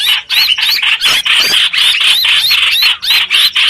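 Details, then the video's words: Streak-eared bulbul trapping lure: a steady series of bright, rising, whistled chirps over a scratchy buzz, repeating about four times a second with only brief breaks. "Tiếng chim hoành hoạch mồi chuẩn"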